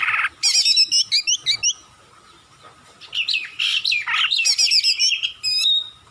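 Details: Oriental magpie-robin (kacer) masteran recording made to prompt lazy birds to sing: loud, varied song of sharp whistled notes, rapid chirps and rising-falling phrases in bursts separated by a short pause.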